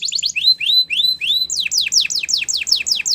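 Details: Belgian canary song used to teach young canaries: rising whistled slurs repeated about five times a second, then a faster series of sharp downward-sweeping notes.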